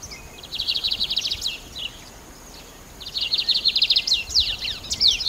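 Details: Lined seedeater with two bouts of song, each a fast string of high trilled chips ending in sharp slurred whistles. A quiet pause separates the bouts.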